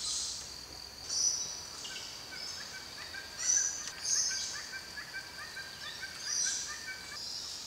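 A helmeted friarbird gives harsh, cackling, rollicking phrases over and over in the background, set against a steady high insect drone and hissing bursts.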